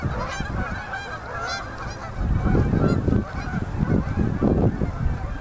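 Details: Canada geese in October migration flocks dropping onto a Manitoba river at sunset: continuous crowded honking, growing louder after two seconds, over a deep rushing roar from wings, water or wind.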